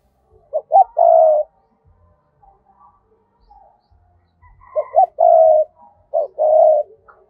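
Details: Spotted dove used as a decoy, cooing to lure wild doves in a double voice with two endings: two short clipped phrases of quick notes ending in a longer held coo, separated by a pause.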